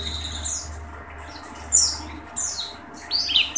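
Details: An Oriental white-eye sings with its beak open in high, thin twittering bursts of rapid chirps, about three bursts in under two seconds, over a steady low hum.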